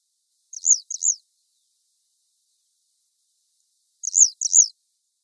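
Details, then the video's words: Grey wagtail at the river Lieser, 2017, giving two crisp double calls, each a pair of high, sharply downslurred notes, separated by about three seconds of quiet. "Gebirgsstelze 1"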